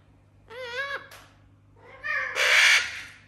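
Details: Pet parrot living in a house with other parrots, making funny sounds while the rest listen: a wavering, whining tone with rippled pitch, then after a pause a loud, harsh, raspy squawk lasting about half a second.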